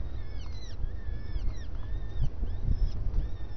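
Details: Starling calling at breakfast: a few thin, arched notes that rise and fall, fairly soft against steady low rumbling noise.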